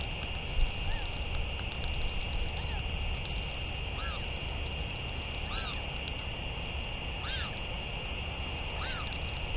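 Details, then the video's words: Faint arched, harmonic calls of a Northern royal albatross at a return and feeding, 31 May 2023, repeated every one and a half to two seconds against persistent hiss and low rumble. "Northern royal albatross 31 05 2023 4 ~ L return & feeding"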